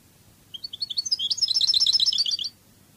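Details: European goldfinch singing in the Cádiz style, from a song-training recording: a two-second phrase of rapid tinkling, bouncing notes that speeds into a dense, continuous twitter before stopping abruptly, low hum beneath.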